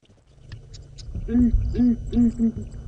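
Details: Southern ground hornbill calling at sunrise before the sun breaks through, hidden in a marula tree, Sabi Sand near Kruger, South Africa, 25 Feb: four deep, hollow booming hoots in quick succession, a little over two per second, over a low engine-like rumble.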